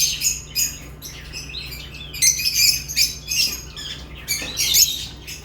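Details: Lovebird chirping: a busy stream of shrill, scratchy chirps and squeaks, irregular and overlapping, with a soft low hum throughout.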